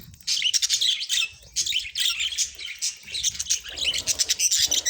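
Budgerigars warble in a busy stream of chirps, clicks and bright twittering notes.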